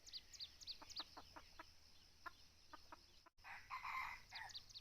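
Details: Forest red junglefowl lured by a decoy bird during hunting; sharp repeated clicks and chirps lead into a brief, harsh crow near the end, over faint insect drone.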